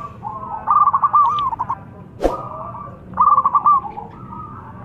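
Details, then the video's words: Chatty local zebra dove with a big voice, luring call: two long phrases of fast stuttering coo notes trailing into smooth trills, split by a sharp click. "Perkutut Lokal Gacor Suara Besar Memancing"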